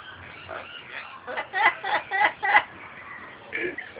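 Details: An Amazon parrot sings 'You Are My Sunshine' in a low, throaty, bass, speech-like voice: a run of four or five quick syllables in the middle, with quiet room noise around.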